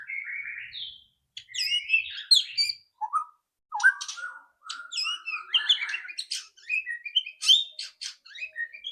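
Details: A fast, varied outpouring from a White-rumped shama, its loud rattling song meant to prompt a bird to sing quickly: mixed high whistles, harsh chips and chattering rattles packed closely with brief gaps.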